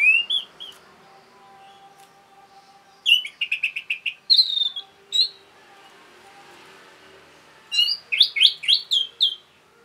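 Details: Orange-headed thrush giving a rapid song meant to provoke other birds: short bursts of quick, sharp chirps and slurred whistles around 0, 3–5 and 8–9.5 seconds, separated by quiet pauses with a faint steady hum.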